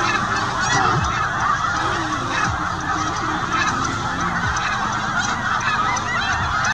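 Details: Snow geese with this year's Arctic-born young, travelling south in stages while moulting, seen at a small town on their route. A busy flock chorus of repeated honks continues unbroken, with a few clearer calls rising above it.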